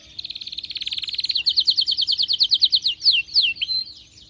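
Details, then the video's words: Excited, fired-up canary singing: a fast, even trill of high notes that speeds into a run of louder, sharply falling whistled slurs, about three per second, ending in a few drawn-out swoops. "غناء كناري هايج ومولللع"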